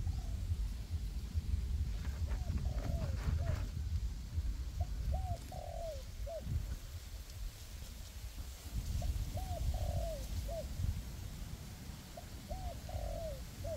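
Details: Decoy spotted dove in forest, one of two decoys cooperating to lure wild doves into a trap; several phrases of rising clipped notes ending in a drawn-out coo and a short final note, repeated every few seconds amid rustling and low rumble.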